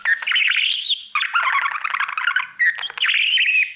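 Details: Pet budgerigar serenading its mirror: loud, steady, buzzy warble with a fast trilling rattle in the middle and high squeaky whistles, almost unbroken.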